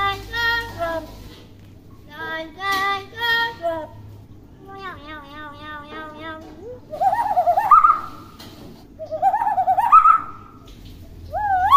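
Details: Young tame common hill myna that talks clearly, imitating human speech: several harmonic word-like phrases, then wavering rising whistled syllables, with a room hum behind.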